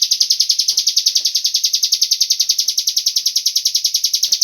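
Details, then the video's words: Lure recording of a cigun meant to draw other birds into song: a continuous high buzzy trill of rapid, evenly spaced pulses, very regular and machine-like, with occasional soft knocks in the background. "Pancingan burung cigun agar ikut bunyi"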